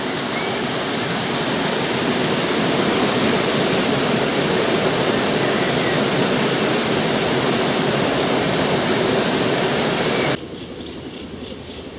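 Steady rushing water like a weir or waterfall fills most of the recording, then drops sharply to quieter background noise near the end.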